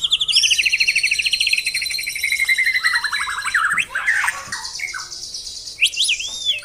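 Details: White-rumped shama in the tembakan song style: a long rapid trill falling slowly in pitch, harsh buzzy notes, then a final looping whistle.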